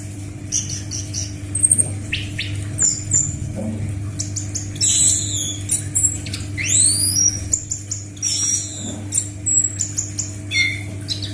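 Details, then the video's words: Orange-headed thrush (anis macan) singing, a recording used to tutor captive birds: high thin whistles and sweeping downslurred and upslurred phrases in short bursts, separated by pauses, over a steady low electrical hum. "MASTERAN BURUNG ANIS MACAN GACOR JAMIN LANGSUNG NYAUT"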